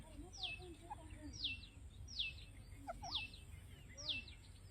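A grey francolin gives sharp, high, downward-sliding notes, about one each second, five in a row, over a low background murmur.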